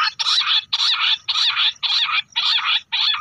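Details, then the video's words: Bush quail in the hunting call known as lahori awaaz: seven loud, raspy, churring bursts, each about half a second long, repeated rhythmically with brief gaps between them. "quail calling hunting | bush quail sounds lahori awaaz"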